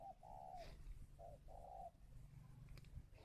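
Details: Spotted dove from a bird farm in Ba Vì, Hanoi, Vietnam, giving calling coos: two short-then-long smooth hooted phrases over a steady low hum and faint rustles.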